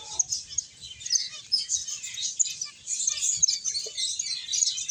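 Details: Several finches chirping while playing and eating: continuous, busy, high-pitched twittering with overlapping thin tweets and no pauses.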